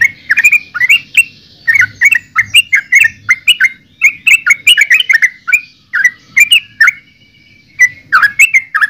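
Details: Continuous chattering song of a yellow-vented bulbul: bright, liquid notes delivered in quick bursts, a brief pause near the seventh second, then more warbling phrases; steady low background hum.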